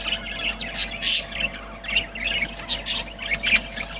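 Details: Happy budgerigars chattering during eating time, a mix of quick high chirps and twittering warbles from more than one bird, uneven in rhythm, with a constant hum behind.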